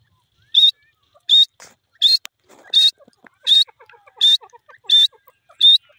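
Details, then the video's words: Francolin, known locally as irani dakhni teetar, calling in a steady series: eight brief, rasping, high bursts about every 0.7 seconds, over soft chattering and clicking in the background. "irani dakhni teetar birds beautiful voice"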